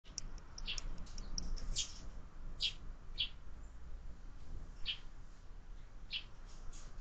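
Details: Sparrows at a window-mounted feeder where birds are fed all year, fledglings growing in number; bright short chirps spaced roughly a second apart over a low steady hum.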